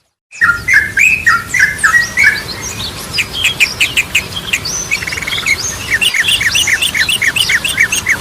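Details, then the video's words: Yellow-vented bulbul song, ropelan and goklikan styles, used as a lure for training birds: opens with low wavering double notes, then fast high chattering and clipped notes repeated several times a second. "Ragam Suara Burung Trucukan || Goklikan, Ropelan, Garudaan Cocok Buat Pancingan"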